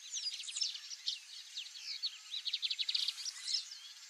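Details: White-browed meadowlark, a grassland bird, calling: a busy stretch of short buzzy and chirping high notes, with bursts of rapid ticking trills near the middle and end.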